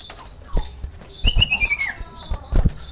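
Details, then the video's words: Common iora calling to prompt other ioras to sing: one clear whistled note that slides gently downward over about half a second, with low knocks and rustling before and after. "pancingan burung cipoh memanggil cipoh lain agar ikut bunyi dan gacor"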